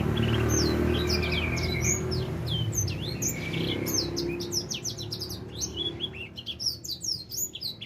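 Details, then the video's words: Four-month-old edel sanger finch starting to sing, pouring out fast, high, clipped chirps and short trills, growing denser toward the end, while a low droning noise fades in the background. "Kicau Burung edel Sanger Umur 4 bulan mulai gacor"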